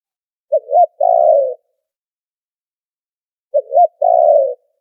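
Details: Spotted dove lure call for trapping, with noise filtered: two identical phrases three seconds apart, each a quick double hoot then a long, rolling, low coo.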